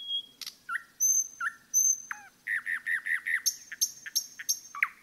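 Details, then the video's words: Singing in a forest, a common nightingale gives a clear whistle, doubled chirps, then a steady series of sweeping notes repeated about three times a second. High thin notes sound over them. "пение СОЛОВЬЯ в лесу"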